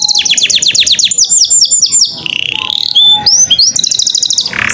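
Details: Canary song used as a lure and training recording to get other canaries, male or female, singing: rapid trains of high descending notes, then sharp whistled upslurs and a rolling buzzy trill, loud and clear throughout.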